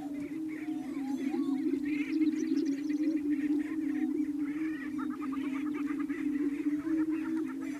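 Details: Over 35 greater prairie-chickens of both sexes at a lek near Wray, Yuma County, Colorado, 14 April 2019: displaying males boom together by inflating air sacs, an unbroken, low, hollow, overlapping moan, with sharp cackles and whooping squeals above.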